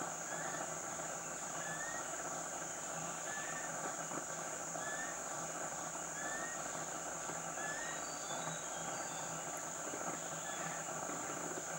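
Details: Rufous-collared kingfisher in Khao Luang National Park, Thailand, giving short, thin rising whistles, one every second or so, over a steady high insect drone and forest hum.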